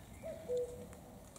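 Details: Common cuckoo giving one soft cu-ckoo, the first note slightly higher, the second held longer and lower.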